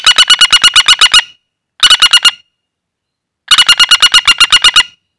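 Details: Lure call of a wild common flameback: three loud, dry rattles, each a quick series of harsh repeated notes, with the last the longest at about ten notes.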